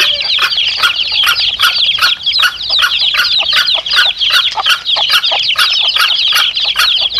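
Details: Domestic chicks and their mother hen, meant to attract wild junglefowl cocks: a thick wash of high, falling peeps from many chicks with rapid sharp ticks throughout.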